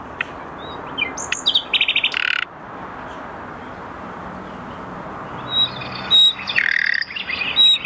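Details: A Common Nightingale in Melek Bahçesi, Tokat, sings varied phrases: high thin whistles, then a fast run of harsh repeated notes, a pause, and more rich, rattling phrases.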